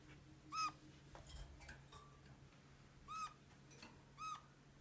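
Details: Red-crowned parakeet kept at home as a pet kakariki, giving three plaintive squeaks, like a kitten's meow, with fainter chirps and rustles between them over a low hum.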